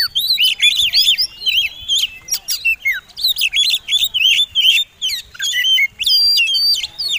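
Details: Fighting-type Oriental magpie-robin, a competition bird, in a lure song for other birds: energetic sequences of sharp whistled notes, clicks and rising sweeps, repeated in dense bursts with short breaks.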